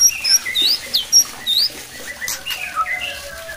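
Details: White-rumped shama song, used to make other shamas sing more and grow aggressive. Varied high whistled notes and slurred sweeps, some rising, some falling, delivered in an irregular sequence with brief pauses.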